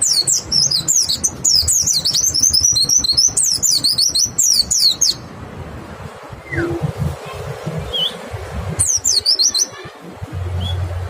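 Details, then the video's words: White-eye lure song to prompt other white-eyes to open their beaks and sing: five seconds of fast, high, jumbled twittering, a quieter stretch with a few isolated notes, then another short high burst. "Pancingan PLECI BIKIN IKUT NEMBAK, suara jernih bikin respon PLECI LAIN BUKA PARUH"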